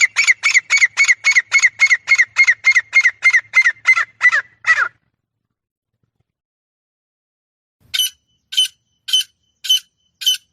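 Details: Female francolin calling: a fast series of about fourteen harsh, squawking notes evenly spaced at roughly three per second, fading at the end. After a silent gap of about three seconds, five sharper, higher notes follow at a slower pace.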